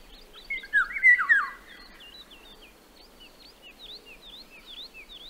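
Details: In Central Russia, a Eurasian golden oriole gives one rich, fluty, yodelling phrase that rises and falls, then fades, while thin high chirps from other small birds continue behind it.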